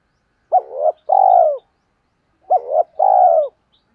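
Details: Lure call of a decoy spotted dove meant to attract wild doves: two identical phrases about two seconds apart, each a quick hooked double note and a sustained, slightly falling coo, against clean silence.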